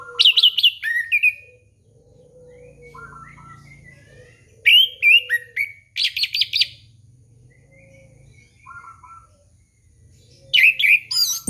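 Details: Orange-headed thrush song, played to coax young birds into singing: loud bursts of high, varied chattering and whistled phrases in three bouts, separated by quieter stretches of soft, lower drawn-out whistles.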